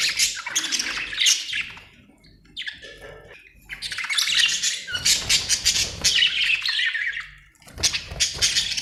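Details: Budgerigars in a happy mood, chattering busily: overlapping rapid chirps, squawky notes and warbles rising and falling in loudness, with a quieter lull midway.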